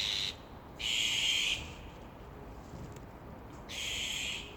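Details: Azure-winged Magpie family after a fledgling, still short of wing and tail feathers and flying clumsily, has just left the nest; parents stay above to protect it. Three grating, buzzy calls, each under a second, separated by quiet pauses.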